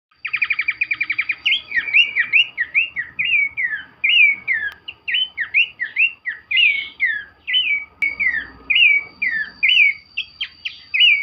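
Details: Abbott's babbler singing vigorously while dancing: a lively run of clear, whistled, down-slurred phrases, each rising then dropping, following quickly one after another after a brief opening rattle.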